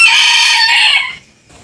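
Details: Rooster crowing, one of several different roosters: a loud, harsh, richly layered crow held fairly steady for about a second, then cutting off into near silence.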